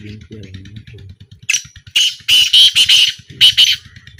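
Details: Black francolin in a small 2025 calling trial. A soft low voice-like murmur comes first, then loud harsh chattering notes in two tight groups, with a regular low thumping underneath.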